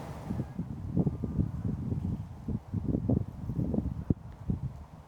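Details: Low rumbling wind and rustling with irregular thumps and handling knocks, no animal voice heard.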